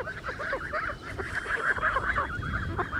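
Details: Blue Muscovy ducks, 3 months old, on a farm on 19 July 2017, call in a group with a steady stream of overlapping, slightly nasal, whistled honks, about three per second, over low background rumble.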